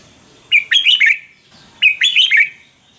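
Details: Red-whiskered bulbul song for caged-bird training or excitement: two matching phrases of bubbly, fluted notes, each a short rising whistle followed by quick tumbling chirps.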